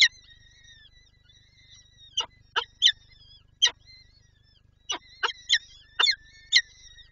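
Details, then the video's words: Peregrine falcon, Lublin, 23 April 2024, seeking to feed its chicks: an opening thin whine, then clusters of loud, harsh, scratchy chip notes in twos and threes, with faint whining between them. "Sokół- Lublin- Wrotka chce nakarmić dzieci"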